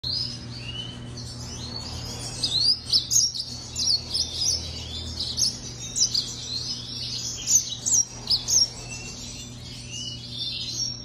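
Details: Yellow-fronted canary (Serinus mozambicus) song, recorded in 2020: a fast run of high, thin chirps and twittering notes from about 2.5 seconds onward, in quick bursts, over a steady low hum.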